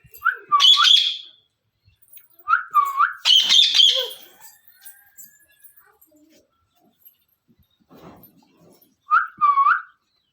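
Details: Parrot, possibly a ringneck, gives loud, whistled chirps in short bursts with quiet gaps between.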